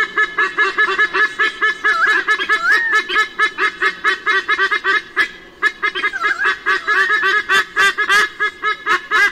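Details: White-bellied sea eagle pair near Sydney, Australia, 16 October 2018, parents chasing intruders away from the nest while the young bird is absent: dense, loud, goose-like honking and cackling notes, rapidly repeated and overlapping, with brief wavering squeals.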